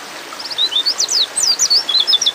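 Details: White-eye hen in breeding condition calling a male, a steady string of sharp, high, slurred chirps and short whistles delivered rapidly for the whole stretch.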